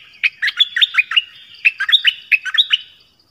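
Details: 'Phleng boen' style song of the nok dok taeng, used to train young birds and stir up wild ones. Two closely spaced phrases of fast, liquid whistled notes bending up and down, with no other sounds.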